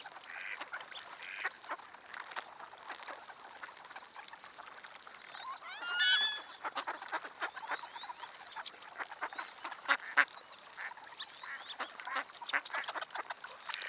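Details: Mixed duck flock, thousands strong, including wigeon, pintail, wood duck and mallards, feeding in a flooded cornfield on a trail camera: rapid, overlapping quacking throughout, with a burst of thin rising whistles midway.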